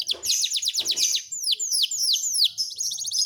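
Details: Panda canary song made of quick, high whistled notes that first rise, then sweep steeply downward, each slur repeated about three times a second in a lively, continuous series.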